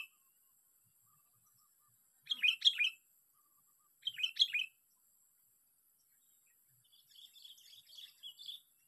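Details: Sooty-headed bulbul, caught by luring, gives two short bubbling phrases of quick rising and falling notes, followed by a softer, longer run of chattering notes.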